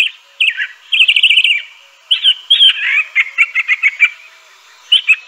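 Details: Crissal thrasher singing a varied run of phrases: quick twittering notes, then a burst of short chirps in fast succession, a brief pause, and a final pair of sharp notes; the sound sits in a clear, quiet background.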